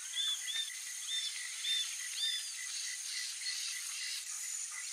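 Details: Juvenile Roadside hawk begging food from its parents: short, thin, arched squeals at a high pitch, given in quick irregular bursts over a constant droning chorus of insects.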